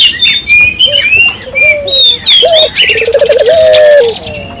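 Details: Low, rolling dove coo from a turtle dove singing freely, recorded to stimulate local doves: a brief rising note and rapid wavering trill that ends in a long falling tone, following bright whistled calls of other birds.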